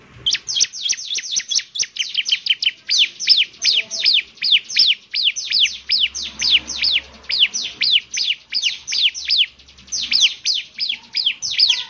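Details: Bar-winged prinia in vigorous song: a near-continuous stream of high, rapidly repeated downslurred chirps in loose groups, pouring out for the full stretch with barely any pause.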